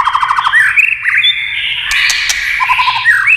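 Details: White-rumped shama, song prompted by tail-tapping clicks: a quick trilled run, then upslurred whistles and a rising sweep, with two sharp clicks in the middle.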